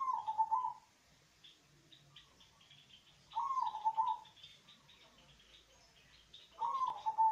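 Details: Local zebra dove with a deep, bass-toned voice, used as a lure to prompt lazy doves to sing; three fast rolling coo phrases, each under a second, come about every three seconds, with faint chirps of other birds behind.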